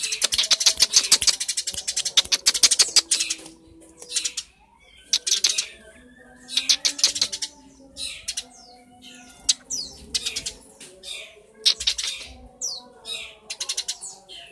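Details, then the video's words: Caged Eurasian tree sparrow kept as a master song bird, dense bursts of sharp chirps and twittering notes in clustered runs with short pauses, plus faint rustling. "Burung gereja master"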